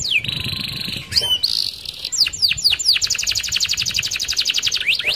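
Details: Canary rolling song intended to lure other canaries: buzzy trill and swept notes, then a long, very fast even roll of high repeated notes.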